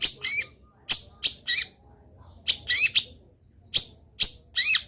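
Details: Long-tailed shrike singing actively in a training song full of filler phrases: short groups of sharp, buzzy, upslurred notes separated by brief pauses.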